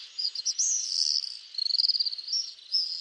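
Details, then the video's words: Common swift screams: shrill, drawn-out, high buzzy notes with quick rattling sections between them, repeated over three seconds. "Стриж. Обыкновенные стрижи. Голоса птиц"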